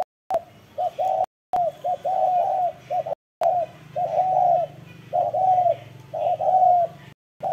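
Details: Spotted dove in a run of coos, quick short notes leading into long, slightly falling crooning syllables, about one phrase a second, with faint higher hiss behind.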